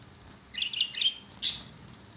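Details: Pet budgerigars at play on a swing give a quick run of bright, twittering chirps, then a short harsh squawk, against a quiet background.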